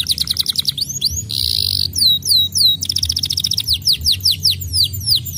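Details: Canary song used to stimulate other canaries to sing: quick runs of falling whistles, then a dense buzzy trill, slower swooping whistled notes, and a rapid chattering tour ending in repeated downslurred notes. A low hum persists in the background.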